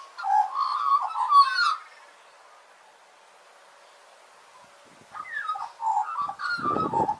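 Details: Australian magpie singing in a backyard in Australia: rich, gurgling, warbled phrases with fluting notes, a burst of about two seconds, roughly three seconds of quiet, then more warbling and a low thump at the end.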